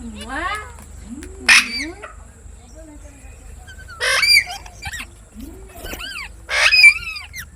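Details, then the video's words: Parrot calling with drawn-out, wavering tonal cries and three loud harsh squawks spaced a few seconds apart, separated by near-quiet gaps. "Amazing parrot talking videos | Parrot sound | Parrot voice | Tote ki Awaaz | mitthu mitthu"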